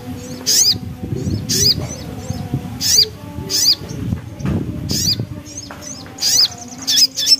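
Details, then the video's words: Javan black-capped babbler, locally sogok ontong, singing gacor ngriwik style: loud sharp high notes with quieter twitters between, roughly one burst every second, over low rumbling background noise. "Suara Nembak Ngriwik Burung Sogok Ontong Gacor"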